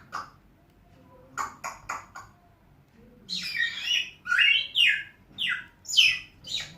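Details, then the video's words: Pet African grey parrot that talks, whistles and calls names; a few soft clicks give way to a run of harsh, raspy, speech-like squawks, each under half a second, repeated about twice a second. "African Grey parrot taking, whistling,calling names"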